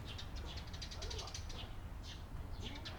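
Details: Chattering Eurasian tree sparrows, 28 April 2022, with a quick string of short chirps in the first half and two separate chirp clusters near the end, against constant low-pitched background noise.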